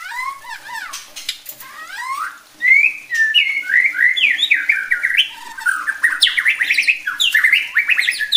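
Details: White-rumped shama song meant to provoke other shamas: melodious slurred whistles rising and falling, building into a fast run of varied bright, upswept notes.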